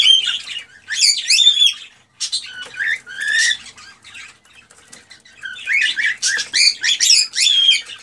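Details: Excited male cockatiel song aimed at stimulating a hen to breed: rapid jumbled whistles and chattering squeaks in dense bursts, separated by a quieter stretch of scratchy notes.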